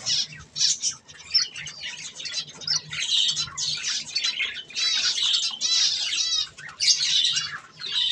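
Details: Several pet budgerigars chatter while eating softfood: dense, scratchy warbling with quick squawks and chirps, some notes in ringing stacked bursts, continuous with brief pauses.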